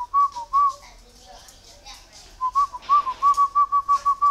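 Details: A tamed captive khiếu đất (mi đất) songbird from Ba Vì mountain, trapped and kept on bran feed, whistles a pure mid-pitched note in quick repeated bursts, about a dozen, mostly steady in pitch. A quieter pause comes between the opening notes and the final run.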